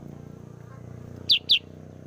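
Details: Sooty-headed bulbul, a bird used as a lure for trapping other birds, giving two sharp, high, downward-slurred chirps in quick succession over a low background hum.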